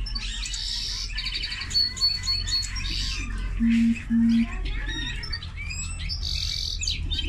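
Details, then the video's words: Linnet crossed with canary sings bright trills and twitters over a low background hum, with two steady low tones in the middle and a buzzy burst to finish. "Mixto de pardillo y canaria - هجين طائر التفاحي مع الكنار"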